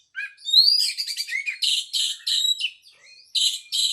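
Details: Oriental magpie-robin song that opens with rising whistled notes, then breaks into rapid, buzzy chattering phrases and repeated harsh notes, with a short gap before the final two bursts.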